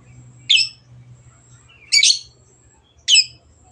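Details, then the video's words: Long-tailed shrike used as a lure to encourage silent birds to sing. Three loud, harsh, raspy notes spaced about one to one and a half seconds apart over a faint low hum. "CENDET GACOR PANCINGAN MENGATASI BURUNG MACET ATAU BAHAN AGAR RAJIN BUNYI"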